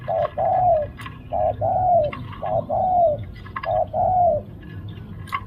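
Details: Spotted dove used as a decoy bird to lure wild doves, cooing in four phrases, each a short low note followed by a longer slurred falling coo, repeated about once a second, with faint clicks and background noise.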